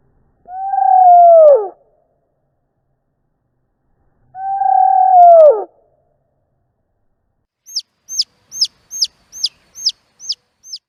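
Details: Chick calling for its mother, recorded with a Panasonic DMC-GH3: two deep, drawn-out, slowed-down calls that dip at the end, followed by eight rapid, thin, high-pitched peeps at natural speed.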